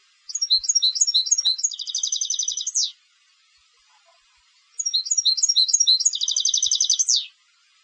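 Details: European goldfinch competition song, recorded clean: two matching phrases of lively chirping notes that lead into a rapid buzzy trill, each closing with a falling sweep, with a quiet gap of nearly two seconds between them.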